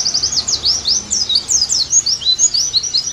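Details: Oriental white-eye (pleci) in lively song meant as therapy and tutoring, made of quick, high, downward-swept twitters repeated in a continuous chattering stream.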